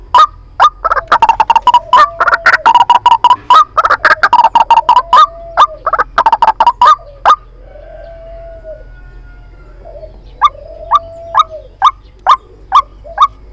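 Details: White-breasted waterhen lure call used in trapping, with long bursts of fast, harsh, croaking notes, a brief pause with softer low sounds, then evenly spaced short clicks of calls.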